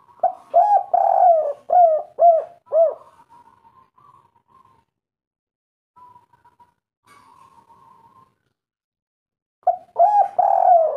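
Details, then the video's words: Spotted dove of local wild stock giving the kuk-3 coo, used to lure other doves into calling: deep, full, mellow hooting notes in quick rhythmic groups, a pause with faint soft murmurs, then the phrase resumes. "derkuku kuk3 gacor suara tebal merdu empuk buat pancingan langsung bunyi"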